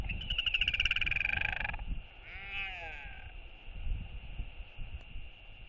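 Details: Royal albatrosses, a chick exploring outside its nest with a parent nearby giving skycalls, in New Zealand on 27 February 2022. A fast, nasal, pulsed braying run, then a drawn-out wavering harmonic note, over wind rumble and faint hiss.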